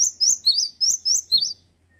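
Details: Six fast, piercing two-note whistles from a male cinereous tit, evenly spaced and delivered in quick succession within under two seconds, then quiet.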